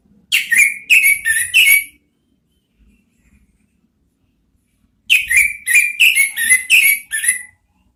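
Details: Orange-headed thrush whistling "ngeriwik" song meant to coax out the "ngeplong" sound. A run of four short, sharply inflected whistles, a pause of about three seconds, then a quicker run of about six similar notes.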